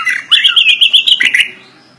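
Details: Greater green leafbird, a caged songbird, delivering a full song packed with borrowed phrases: a quick string of about eight bright, evenly spaced chirping notes followed by a short slurred whistle that fades out.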